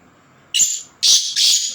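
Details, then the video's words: Black francolin, locally kala tetar, giving three loud, harsh, grating high-pitched bursts: a short note followed by two longer rasping ones in quick succession against a quiet background. "Kala tetar _مست تيتر _ tetar _tetar ki awaz"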